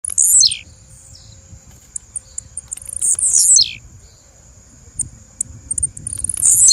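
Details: Female blue-black grassquit call: quick high ticks running into a sharp, buzzy note that drops steeply in pitch, heard twice and again at the end, over a constant thin high whine and low rumble.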